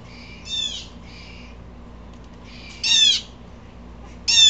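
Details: An agitated blue jay gives a softer buzzy call, then two loud grating screams about one and a half seconds apart. Faint low hum throughout.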